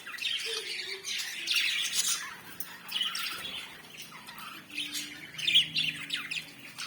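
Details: African lovebirds chirping: a dense mix of shrill, squawky chirps and twitters from several birds, fairly constant, with a faint low hum underneath.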